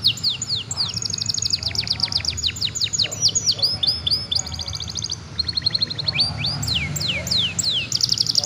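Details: Young canary in full song meant to stimulate other young birds to sing: quick repeated downward-swept notes in rapid trills, broken by short rolling phrases and sharp rising whistles, with faint low background hum.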